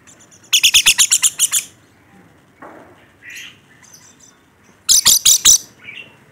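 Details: Rainbow lorikeet, a caged bird described as in full voice: a fast burst of about nine harsh chattering screeches, a quieter pause with soft noises, then another quick burst of five.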